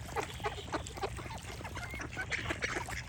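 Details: Ducks quack in quick, uneven succession, about three calls a second, with short clear whistles rising late in the passage over a low background rumble.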